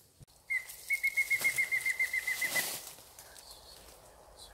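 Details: Mayan Antthrush from a March 2019 Yucatán tour: about fourteen clear whistles delivered rapidly and evenly, dropping gently in pitch toward the end, followed by quiet forest background.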